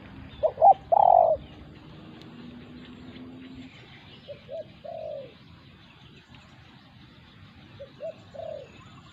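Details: Spotted dove facing a wild territorial bird at a decoy site. A louder cooing phrase opens the clip, then softer, more distant short coos follow in small groups of two or three over quiet rural background.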